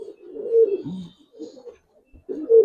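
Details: Budapest highflyer pigeon cooing from a loft: a swelling low coo that drops in pitch, a softer murmured phrase, a pause, then another loud coo.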